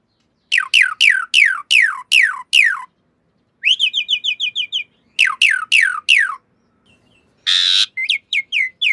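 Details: Asian pied starling master recording meant to train cage birds: repeated sharp falling whistles in bursts, a rapid rising-note series, a harsh rasping burst and short clipped whistles near the end.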